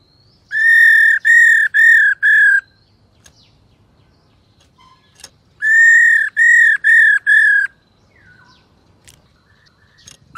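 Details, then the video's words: Female black-throated laughingthrush, kept as a cage bird, calling to stir males into singing. Two bursts of four or five loud, clear, harmonic whistled notes, each burst lasting about two seconds, separated by a silent gap with faint clicks. "KHƯỚU MÁI RÒ KÍCH TRỐNG ĐIÊN ĐẢO/NGHE NHANH HÓT.Chim Khướu Mái Ro Dụ Trống Mở Mỏ"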